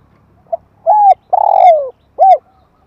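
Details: Spotted dove calling, used to stimulate and train decoy birds: a brief soft note, then a clear coo, a long throaty rolling note sliding downward, and a final rounded coo, low-pitched over a quiet background.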